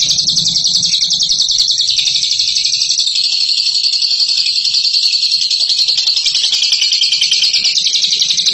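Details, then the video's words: Bird presented as a top ngekek singer pours out a steady, high rattling chatter of fast notes for over eight seconds. The tone shifts slightly partway through, and a faint low hum is audible early on. "INI DIA JAGONYA NGEKEK"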